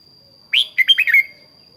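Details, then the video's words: Red-whiskered bulbul, voice-trained as a spirited decoy singer, gives one loud cheerful phrase: an upward-swept whistle followed by four quick warbled notes ending in a short trailing tone, a steady high hum behind. "luyện giọng chào mào hót buổi sáng"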